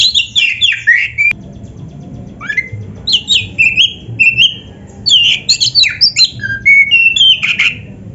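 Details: Oriental magpie-robin (kacer) in lively full song, used as a training recording for caged birds: rapid varied phrases of sweet rising and falling whistles mixed with harsher notes, in bursts with short gaps, over a faint low hum.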